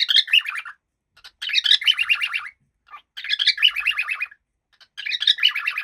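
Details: Happy pet cockatiel giving bursts of bright, rapid chirps and warbling notes, each burst lasting about a second, repeated four times with short pauses between.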